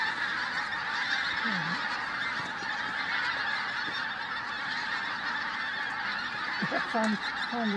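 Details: Pink-footed Geese in flight at Flitcham, 5 January 2017: a thick, steady chorus of high-pitched honking from a huge flock, with a person's voice briefly heard near the start and again near the end.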